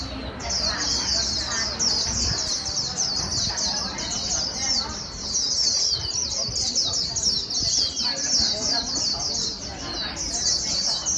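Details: White-eye líu song for stimulating a newly caught bird: long, continuous, fast high twittering with rhythmic pulses, a short gap at the start and soft lower clicks and chatter behind.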